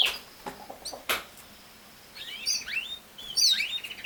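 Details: Canary giving scattered sharp clicks and chips, then a quiet gap before several quick upslurred and downslurred whistled phrases at the end.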